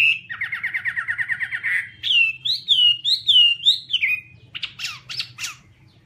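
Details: Chinese hwamei song starting with a fast, rattling trill of repeated notes, followed by loud wavering whistles rising and falling, and closing with a few sharp, scratchy chips; low background hum.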